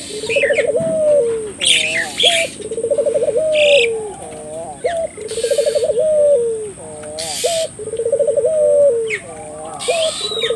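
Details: Barbary dove cooing in a lively mood, used as a lure to stimulate local doves to call: low rolling, rapidly pulsed coos ending in a drawn-out note, repeated about every two and a half seconds, with high chirps of other birds and a steady whine.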